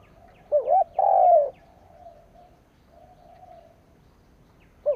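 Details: Decoy spotted dove calling to rile rivals: a short rising coo then a long husky falling coo, followed by faint softer coos and the start of another phrase.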